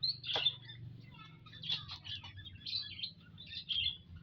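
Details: Munias in a group within an aviary, recorded on 19 April 2025: high thin chirps and short twittering bursts come in clusters about once a second, with a low steady hum underneath.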